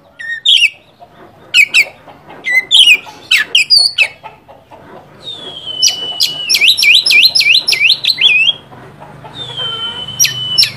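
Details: Kacer, or oriental magpie-robin, singing to provoke a rival bird: varied sharp whistled phrases, a long level whistle leading into a rapid rolling trill of looping notes, then scattered calls.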